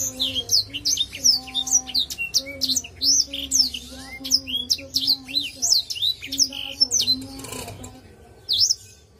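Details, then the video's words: A Black-throated Canary sings a fast, unbroken warble of high, sweet, twittering notes rising and falling for about eight seconds, over a faint steady low hum. "BLACKTHROAT GACOR!!! Sing Song"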